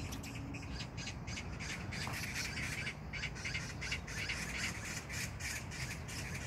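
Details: Harsh chattering magpie in an Incheon neighbourhood park, South Korea, on June 19, 2022. Raspy squawks repeat quickly and almost without pause for the whole stretch, uneven in loudness, against a constant low background rumble.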